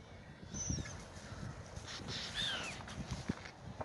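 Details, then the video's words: Seagulls feeding on bread on the Oder River at Frankfurt (Oder), Germany; a single clear, slurred downward call stands out midway, with a faint short note earlier, over steady low outdoor rumble and wind. "seagulls are eating bread in the oder river"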